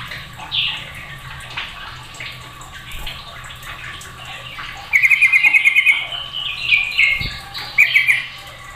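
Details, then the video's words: Several sooty-headed bulbuls growing noisy as the others join in. Scattered soft notes give way to a fast rattling chatter about a second long, followed by two shorter bubbly phrases, with a constant low hum behind. "Belum Satu Menit Suadah Bikin Trucuk Lain Pada Ikut Ribut"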